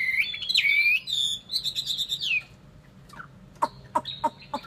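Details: Chinese hwamei song, with strong looping whistles that rise and waver for about two seconds, followed by a quiet spell and a few short, sharp scattered notes.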